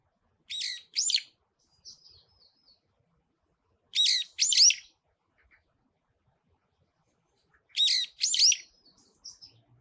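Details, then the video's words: Brown-eared bulbul singing on a pine tree: loud paired harsh, squealing notes with rising and falling sweeps, the pair repeated about every 3.5 seconds, with faint thin chirps between phrases. "소나무 위에서 노래하는 직박구리"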